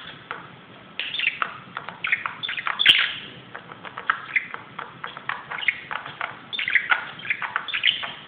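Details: Budgerigar indoors, restless and excited on top of a closet, giving a busy chattering warble of short scratchy notes and clicks, with a few brighter chirps and one sharp tap near the middle.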